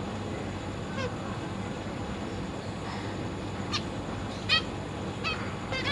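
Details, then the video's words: Captive zebra finches, a breeding pair with juveniles and newly fledged young, recorded 22 August 2023, give short, nasal, trumpet-like beeps, five or six spaced unevenly over six seconds, over a steady low hum. "Zebra Finch"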